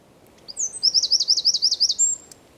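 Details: Eurasian wren song from San Miguel de Daño, Zamudio, recorded 4 December 2019: one loud, very high phrase with an introductory note and a fast rattling trill of repeated notes, closing on a level whistle.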